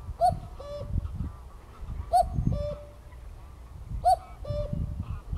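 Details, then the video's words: Cuckoo calling close by at RSPB Greylake in Somerset, 7 May 2024. Three clear two-note cu-coo phrases come about every two seconds, each falling in pitch, over a low background rumble. "Unbelievably close views of a calling Cuckoo"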